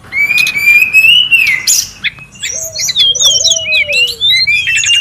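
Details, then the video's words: Wild brown-chested jungle flycatcher, known locally as sikatan rimba dada coklat, giving a long rising-and-falling high whistle, then quick varied chirps and short slurred notes, over a soft low whistled line. "SUARA PIKAT DAN MASTERAN BURUNG SRDC(sikatan rimba dada coklat) RIBUT DI ALAM LIAR"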